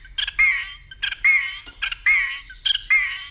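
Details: White-rumped shama stirred into fighting song: short bursts of clicks and a slurred whistle repeated about every 0.8 seconds, steady and rhythmic.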